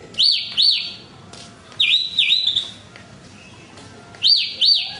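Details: Horsfield's bush lark whistling pairs of arched, high notes, then a dipping double whistle with a trailing tail, then another arched pair after a short gap.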